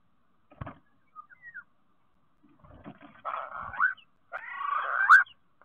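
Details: Common starling song at a nest box in Théding on 10 March 2023: a sharp click and a few thin, short whistles, then two harsh, wheezy, grating phrases of about a second each.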